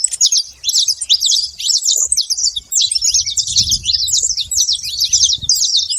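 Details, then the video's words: Saffron finch calling loudly at a feeder, a fast unbroken stream of high, scratchy chirps and twittering notes, with faint low background rumble. "canário da terra fazendo muito barulho na seva"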